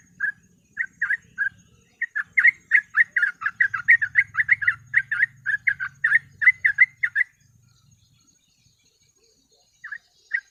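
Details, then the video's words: A sooty-headed bulbul sings a 'ropel' lure song: scattered chirps build into a quick, even run of bubbly notes lasting several seconds, then silence and two final chirps. "TRUCUK GACOR ROPEL MASTERAN PANCINGAN BURUNG TRUCUK"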